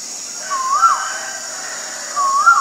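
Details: Male Asian koel giving two whistled, rising two-part notes about a second and a half apart, each climbing then dipping at the end, over a steady high insect drone.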